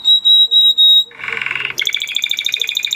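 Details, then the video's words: Blue Spanish Timbrado canary singing: steady pure whistled notes in four even bursts, then a harsh buzzy rattle, then a rapid bright metallic trill of quickly repeated notes. "Blue Spanish Timbrado Canary"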